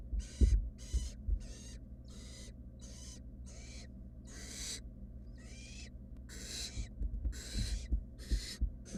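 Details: A rapid series of raspy, breathy hisses from three wild barn owl nestlings in a nest box, overlapping bursts of varying loudness, with scattered low bumps and thuds of shuffling chicks and a low hum.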